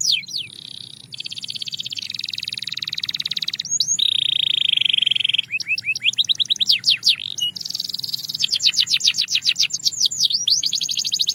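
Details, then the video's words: Belgian canary singing as a calming training track: long varied phrases mixing buzzy rattling trills, a sustained pure whistled tone, and fast series of rising and falling sweeps, all high-pitched and continuous. "Belgian Canary Singing Therapy – Calm & Clear Tones"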